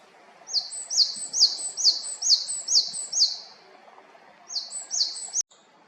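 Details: Japanese tit in Haenam, South Korea, repeating a high, clear sliding note seven times at a brisk even pace, pausing, then starting again with two more before a sudden cut.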